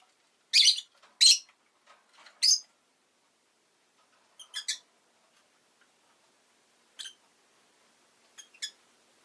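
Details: Pet rosy-faced lovebird giving three loud rasping chirps in quick succession, then fainter, scattered short notes with soft background noise.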